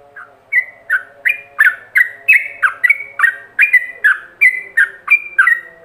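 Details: Ropelan-style song from a yellow-vented bulbul, used as a training master: after one soft note, a steady series of bright, slurred whistles, nearly three a second, with faint low hum beneath.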